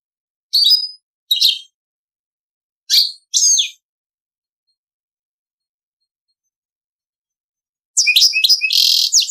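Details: Goldfinch × canary hybrid (mule) singing in the Servati Prince royal style: short bright twittering bursts and high buzzy notes separated by silent gaps, ending with a dense rapid trill-like phrase; no other sounds.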